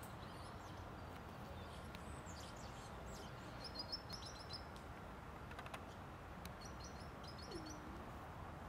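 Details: Eurasian nuthatch (Sitta europaea) in Ljubljana Botanical Garden, 29 September 2023, giving short, high, clipped calls in quick bursts of three or four over a steady low rumble of distant traffic.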